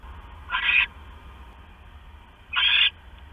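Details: Owl calling at night on 6 September 2015 during a mouse delivery from male to female; two raspy, hissing bursts roughly two seconds apart, each under half a second, with faint hum behind.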